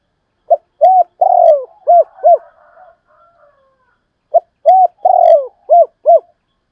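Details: Spotted dove performing urging and calling coos, the double style called 'hai hậu': two phrases of short hollow notes each centred on a long falling coo, separated by soft low murmurs, recorded cleanly.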